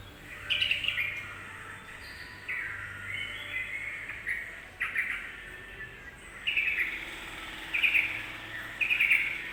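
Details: Provoking song of a yellow-vented bulbul: short, bright chattering phrases, each under a second, repeated about every one to two seconds, with quiet gaps and a low hum between.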